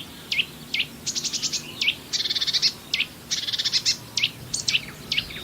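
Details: Marsh warbler song, a species noted for weaving imitations of many other birds into its song: varied high phrases mixing sharp downslurred notes with fast buzzy trills and rattles, each burst short and separated by brief pauses.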